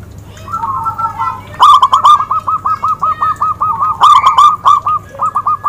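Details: Zebra dove song for bird luring: a soft rolling warble opens, then a long even series of clipped cooing notes repeated rapidly, louder accented clusters breaking in near the end.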